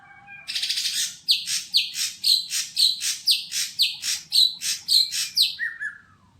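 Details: Greater green leafbird, caged and untrained, at a bird kiosk: a buzzy rattle leads into about twelve loud grating notes with whistled tips at a steady two per second, closing with a falling warble.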